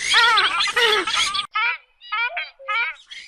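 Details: Oriental reed warbler giving loud, harsh, croaking notes with strong overtones, a dense grating run first, then three shorter separated bursts after a brief silence.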